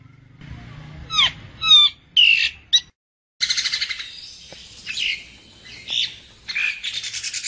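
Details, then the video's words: Common myna calls sold as a bird-trapping lure: harsh squawks, a few clear whistled notes and brief gaps, then a loud buzzy, raspy chatter with scattered grating bursts. "Tiếng Chim Sáo Nâu , Sáo Trâu"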